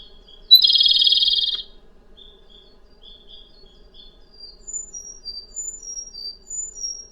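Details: Japanese Robin (komadori, "horse bird") giving its loud, ringing forest song, likened to a distant horse's whinny: a high rattled trill lasting about a second, followed by faint, thin high whistles from other birds in the distance.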